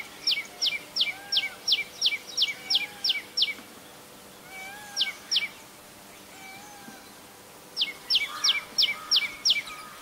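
Common tailorbird giving loud, sharp, high notes repeated about three times a second in bursts, with soft lower whistles from another bird behind.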